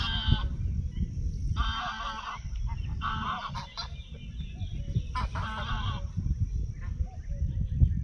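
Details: On 14 June 2024 at the Soča estuary nature reserve, a greylag goose gives about five loud, nasal honks, each lasting under a second, spaced irregularly over wind rumble.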